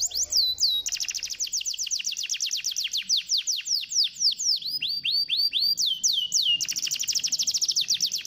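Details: Canary lure song to encourage a lazy canary: fast trills of sharp falling notes, slower arching whistles in the middle, then another quick rolling trill.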